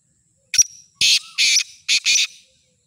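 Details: Full call of a black francolin kept for sale: a brief sharp opening note, a pause, then four loud rasping, scratchy bursts, the last two close together, against an otherwise quiet background.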